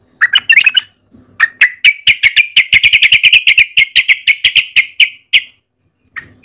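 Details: Sooty-headed bulbul kept as a lure bird, singing actively: a fast run of about twenty sharp, evenly spaced chirps on one bright pitch, preceded by a short jumbled burst, with near silence around it.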